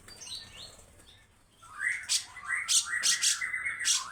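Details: Grey-cheeked bulbul singing the harsh 'besetan' way: a soft opening, then rising whistled slurs overlaid by sharp, scratchy bursts in quick series.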